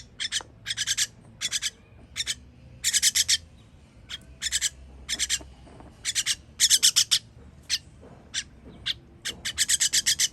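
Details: Young birds begging as they are fed, 21.06.23; dry, hissy rasps in clusters of two to five, spaced irregularly roughly every second, against faint low background noise.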